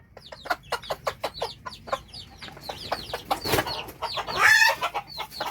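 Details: Hen calling chicks to feed: a long series of quick clucks, accompanied by high, tinny peeping from chicks and ending in a loud, harsh squawk.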